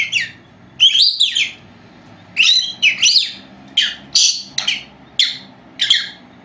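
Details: Pair of four-month-old female lovebirds at home while napping; bright chirping, a wavering whistled phrase first, then evenly spaced short chirps about every half second.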